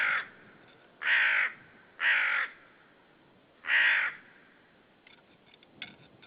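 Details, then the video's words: At a white-tailed sea eagle nest site in Saunja, Estonia, on a March 2013 afternoon, a hidden common raven gives four hoarse, rasping caws about a second apart, followed by faint crackling. "Saunja Raven yelling hard near by Sulev, you don't see them"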